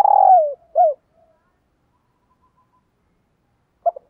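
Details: Caged decoy spotted dove calling wild doves in the morning. A long mellow coo that slides downward, followed by a short hooted note. After a long silence, two brief soft notes start again.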